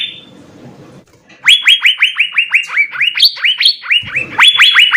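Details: Asian fairy-bluebird in full song, a master recording for training songbirds: a faint whistle, a quiet second, then a dense series of rising whistled notes that grows louder near the end.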